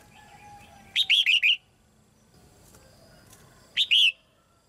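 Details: Female red-whiskered bulbul in a cage, singing to encourage young birds. A longer run of four quick warbled notes is followed, after a pause, by a shorter two-note phrase.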